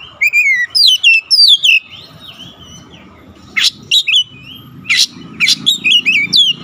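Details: Oriental magpie-robin in vigorous bongkar isian song, showing off its repertoire: fast falling whistled phrases, a quieter stretch of soft notes, then harsh bursts and quick chirping whistles resuming, with low background rumble.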